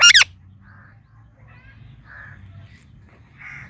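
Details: Pet Indian ringneck parakeet indoors: one loud, harsh, shrill squawk at the start, then several short, soft, muttering notes in a quiet room.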